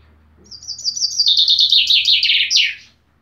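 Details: Chaffinch song, one full loud phrase: a rapid cascade of repeated chirping notes stepping down in pitch, finishing with an emphatic downward-swept terminal flourish, over a quiet low hum.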